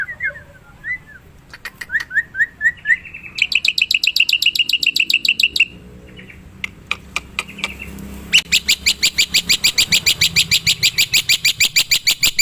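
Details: Black-winged myna in the wild: short whistled slurred notes, then runs of loud harsh rasping notes repeated several times a second, broken by sharp clicks and ending in a long fast harsh series.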